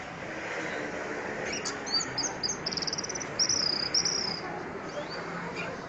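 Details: Male orange-headed thrush singing: a quiet run of high, rapid, buzzy and trilled phrases near the middle, over steady background hiss.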